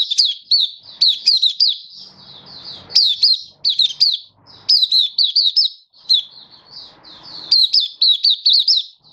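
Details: Sung by a Malaysian white-eye in Singapore on a stable, warm, sunny 20 March 2023: clusters of quick, piercing chirps repeated throughout, with short breaks and faint background rustling.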